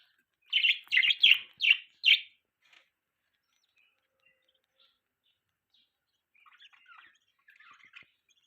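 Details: Budgies kept as pets give five loud, raspy chirps in quick succession, then a pause and softer, scratchy twittering.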